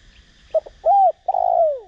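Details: Spotted dove acting as a decoy to provoke cooing, singing in the Đồng Rặc voice. Two clipped low notes lead into a rounded arched coo, then a long vibrating coo that slides downward. Thin chirps sound faintly behind.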